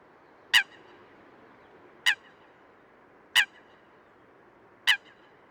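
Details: Sharp, explosive single-note calls of a wild Eurasian coot (Fulica atra), four in sequence at uneven intervals of roughly one to one and a half seconds, against a low constant hiss.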